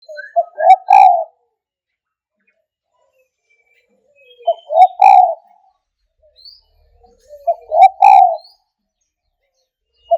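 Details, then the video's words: Spotted dove calling in three phrases several seconds apart, each a short stuttered lead-in of soft coos rising into a loud, drawn-out cooing note, in an otherwise quiet setting. "TEKUKUR SUARA MEWAH"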